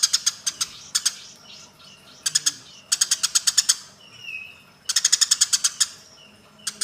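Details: Harsh, rapid chirping from Eurasian tree sparrows in a fight, delivered in clusters of three to eight notes with short pauses; a brief rising whistle sounds in a gap.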